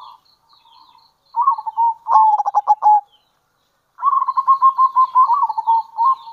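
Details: Local zebra dove giving kerot and bekur calls used to lure other zebra doves: a soft coo, then bursts of rapid stuttering notes, a brief silence, and a long rippling, rolling coo phrase.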